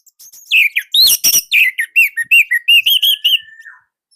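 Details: Orange-headed thrush from Indonesia, kept as a song bird, used as a master song to train other birds: loud varied phrases of sharp whistled and chattering notes repeated quickly, ending in a long thin steady whistle.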